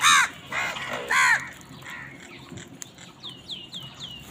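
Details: Three loud, rasping caws from crows fighting for food come in quick succession, followed by a short softer caw. A smaller bird then repeats thin, falling chirps several times in the background.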